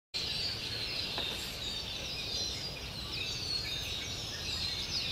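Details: On a quiet morning at Jean Lafitte Barataria Wildlife Preserve south of New Orleans, a huge unseen flock of Red-winged Blackbirds makes a dense, unbroken wash of high chips and chatter, the overlapping voices merging into a steady roar.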